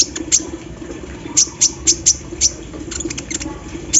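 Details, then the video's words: Olive-backed sunbird singing while set out in the morning dew, with an embroidery-machine style song. Scattered sharp, very high clicking chips come singly and in quick pairs over a constant low hum. "KOLIBRI NINJA GACOR SAAT DI EMBUNKAN PAGI HARI ISIAN MESIN BORDIR"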